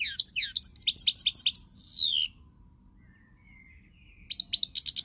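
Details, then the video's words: European goldfinch singing on 20 March 2020: fast, sharp, high chirps end in a long descending slurred note, followed by a pause with soft thin whistles and then another rapid buzzy burst. "Pirlitan Chardonneret, El jilguero, bird, cardellino pezzato GOLDFINCH SONG"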